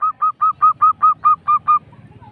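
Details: Local zebra dove lure song: nine separate, rather drawn-out coo notes repeated about every fifth of a second on a steady pitch, ending in faint low background noise.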